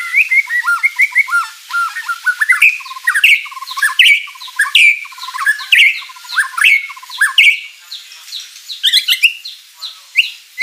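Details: White-rumped shama in full, lively song packed with rich filler phrases, used to provoke rival birds into answering; fast run of varied chirps, slurred whistles and scratchy notes, phrases tumbling one after another with hardly a pause.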